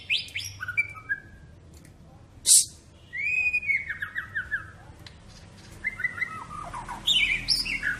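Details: ["Medan-type white-rumped shama singing in 'cililin' and 'besetan' style: separate whistled phrases that slide downward, a sharp high burst, and quieter gaps between phrases."]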